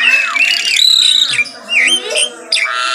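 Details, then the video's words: Brief morning phrase from an Asian pied starling: rising and falling whistled slurs mixed with harsh rasping notes. "KICAUAN JALAK SUREN GACOR PAGI HARI"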